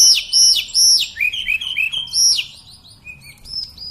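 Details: Sunda robin, known locally as tledekan or mountain sulingan, singing continuously; loud high whistles sweeping down steeply, followed by quick lower slurred notes and short rising whistles.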